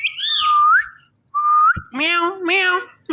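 A rose-ringed parakeet gives two clear rising whistles, then a pair of raspy, voice-like talking phrases in a mid-pitched, slightly nasal tone.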